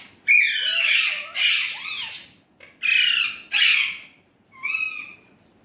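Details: Harsh voice of a talking Indian ringneck parrot (Urdu/Hindi): four strong grating bursts with a small low murmured note between, then a final thinner, cleaner whistled syllable.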